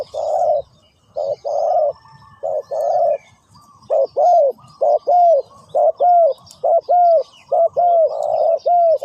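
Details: Steady spotted dove cooing, first broad level hoots, then a rapid regular series of short arched coos, roughly one per second, with faint twittering birds behind.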